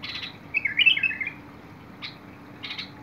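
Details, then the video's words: Bulbul song on 21 August 2022: a rich bubbling phrase of slurred up-and-down notes in the middle, with short buzzy chip notes before and after. "تغريد البلبل"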